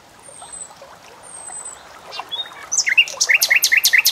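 A bulbul sings: two thin, high whistles slide downward, then a quick run of bright, bubbly notes repeats about every fifth of a second.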